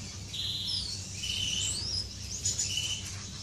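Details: Courting finches in an aviary, recorded 10 May 2015: a busy jumble of high whistled and buzzy notes, some sliding up and down, from several birds at once, over a low hum.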